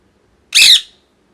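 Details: Molting pet parrot lets out one loud, harsh squawk of about half a second, grating and broad, in a quiet room.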